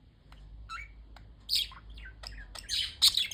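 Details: Budgerigars chirping indoors: scattered high warbling chirps and a few harsh squawks, uneven and overlapping, with a quiet low hum beneath.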